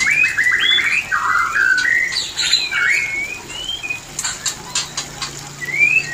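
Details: White-rumped shama mating call for bringing shamas into breeding condition: a burst of buzzy notes followed by smooth rising and falling whistles, then clicks and a final upslurred whistle.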